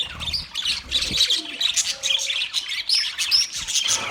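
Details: Wild budgerigars chirp and warble together, with rapid high tweets and a few clearer whistled notes rising over the continuous flock noise.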